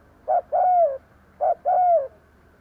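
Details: Spotted dove lure bird cooing to bring in wild doves, two matching phrases a second apart, each a short hollow note followed by a smooth, falling drawn-out coo.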